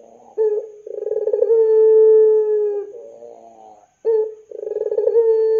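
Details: Barbary dove calling in the pelung style to draw young doves into calling: a short note, a fast throbbing roll opening into a long level coo, soft wavering notes, then the pattern begins again.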